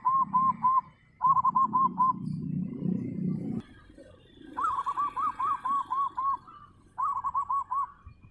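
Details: Local wild zebra dove (perkutut), "Gendowo Sabdo" voice type, giving soft, rolling coos in quick bursts of four to eight mellow notes, with a low rumbling background noise early on.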